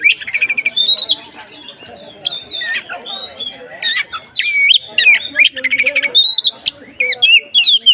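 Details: Oriental magpie-robin (kacer) giving harsh, squawky 'konslet ngeplong' song to spur other kacer: choppy bursts of grating notes mixed with short whistles and sharp high clicks, broken by brief pauses.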